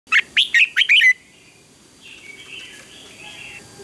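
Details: Red-whiskered bulbul singing in a morning contest: one loud burst of five quick whistled notes around one second long, followed by faint softer warbling from a second bird in the background.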